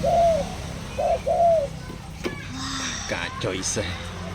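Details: Spotted dove, Khmer bird said to have just begun calling, gives three short hoarse coos in quick succession, the last slightly longer and falling, followed by a man talking in Khmer and faint background noise.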